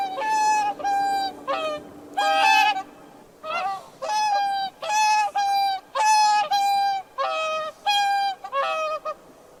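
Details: Swan calls near lakes and wetlands: loud nasal trumpeting honks in bursts, some single and some doubled, separated by short pauses, with a faint steady hum beneath the first seconds.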